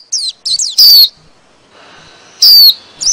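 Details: White-eye calling the flock, a recording used as a lure for trapping: a few short, high, thin chirps with curving notes, then two loud, sharp, downward-slurred notes separated by a quiet pause.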